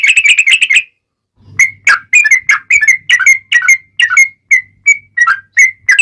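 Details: Sooty-headed bulbul in vigorous song, used as a lure so other bulbuls reply: a short rapid trill, a pause, then a steady series of liquid whistled notes over a faint low hum.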